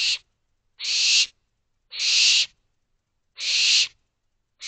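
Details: Barn owl owlets in a nest box calling for more food just after midnight in late May: harsh, hissing screeches, each about half a second long, repeated roughly every second and a half against a silent background.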